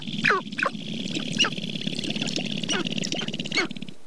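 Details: Several sharp-tailed grouse calling at Namekagon Barrens, northern Wisconsin: loud, sharp yelping notes and quick clucks rise above a constant low cooing chorus, ending abruptly.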